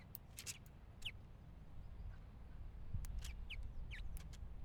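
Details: A house finch gives a few short, sharp downslurred chirps spaced a second or two apart, with clicks and a steady low rumble of wind or handling noise.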